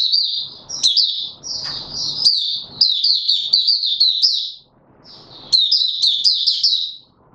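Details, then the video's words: Caged mata puteh (white-eye) on form, 31 December 2021, delivering buka sing: fast, thin, jumbled twittering notes in two long runs broken by a pause of nearly a second. "Mata Puteh - Raja V2 Pushing him on form buka sing"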